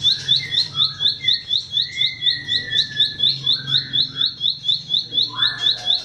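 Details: Training song from a bar-winged prinia for caged birds: an even, fast train of sharp high chirps, with softer lower drawn-out notes and buzzes beneath, and a faint low hum.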